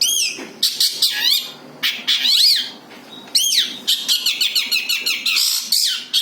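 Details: Long-tailed shrike singing its own song with no borrowed phrases, as a lure: loud scratchy bursts alternate with curved whistled notes, separated by short pauses.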